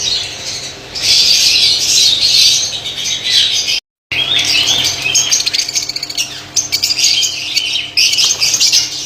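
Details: White lovebirds chattering in a Pakistani colony, a continuous high-pitched wash of squeaky chirps from many birds, broken once by a short gap of silence.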